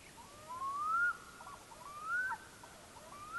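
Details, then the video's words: Common loon calling on a lake at Kaavi, Finland, before sunrise on 22 July 2012: two drawn-out whistled wails sliding upward, about a second apart, over a faint hiss in a quiet background. "Kuikka aamulla"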